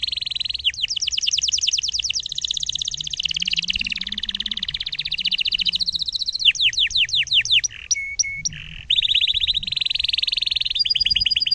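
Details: Tutor song of a canary for teaching young birds: long, unbroken rolling trills, rapid and high, changing pace and texture, broken once by a few separate sharp notes before the rolling resumes.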